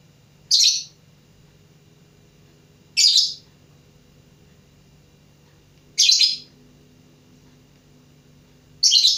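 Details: Learning lovebird repeating brief, piercing, scratchy chirps at a slow, uneven pace, four in all, separated by quiet stretches with a soft background hum.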